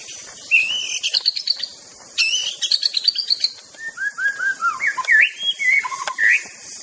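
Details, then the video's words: White-rumped shama (murai batu) of Aceh sings a rich, varied song: high chattering trills, then a run of clear slurred whistles, some swooping down, others rising, in quick succession. "Bird Sound Therapy Murai Batu"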